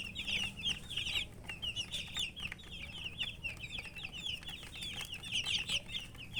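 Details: Coloured chicks cheep in a busy chorus, with quick high descending peeps repeated rapidly and overlapping throughout, over a low steady hum.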